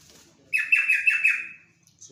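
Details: Yellow-vented bulbul singing one clear, lively phrase of about four quick, slightly falling, bubbling notes run together over roughly a second, in a quiet setting.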